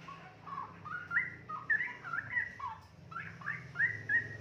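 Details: A single young straw-headed bulbul, aged two and a half months and fully independent, sings loud fluty whistles in rolling, up-slurred phrases, two bursts split by a brief gap, with a low hum in the background.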